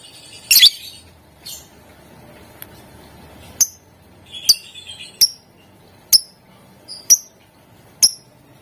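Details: Caged lovebird calling to prompt other lovebirds to sing: a loud harsh squawk, then sharp high clicking chirps repeated roughly once a second.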